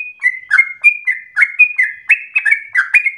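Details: Singing yellow-vented bulbul, a lure for stirring other bulbuls into lengthy, rapid song: a brisk stream of liquid, slurred whistles with crisp onsets, rising toward the end, nothing else audible.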